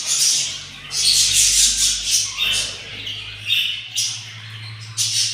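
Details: Hungry budgerigar chicks of yellow parents beg in the nest at day 7, with loud, rough squawking rasps in long bursts over a faint low hum.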